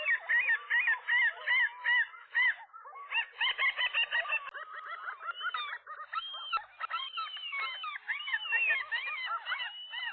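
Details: Nesting gull pair on a roof on a spring morning, 4 April 2023, fighting off a single intruding gull. Harsh, harmonic squawks come in rapid, uneven bursts, with a short pause near three seconds, then a continuous stretch of overlapping raucous cries.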